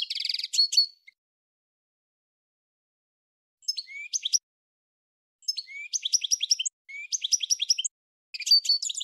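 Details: Goldfinch singing in bursts of bright, rapid twittering and tinkling notes, high-pitched and metallic, separated by short silences, with a rising slurred whistle before several phrases; no other sounds.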